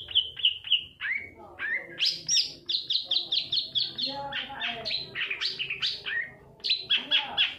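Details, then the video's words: Lure recording of a long-tailed shrike for provoking reluctant birds to sing. Opens with three clear whistled notes, then quick rows of sharp, chirping phrases repeated about three per second, bright and slightly harsh. "suara panncingan cendet agar bunyi dan gacor"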